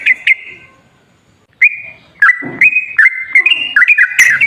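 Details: Clear, flute-like sooty-headed bulbul whistles, used to prompt a reluctant bird to sing. Two short notes open, then a long pause, then a steady series of level, slurred whistles stepping between two pitches.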